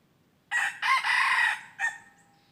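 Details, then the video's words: Red junglefowl crowing during decoy luring of wild junglefowl on 23 January 2022: a loud crow in three bursts, a short opening note, a long sustained middle, then a brief clipped final note over a quiet background. "ต่อไก่ป่า Dib qaib qus tuaj zoo heev"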